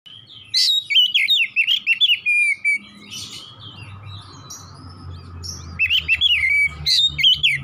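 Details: Oriental magpie-robin singing in energetic 'gacor nembak-nembak' style: rapid bursts of varied, warbled whistles around mid-high pitch, a pause near the middle, then another loud burst; steady low hum and faint constant tone behind.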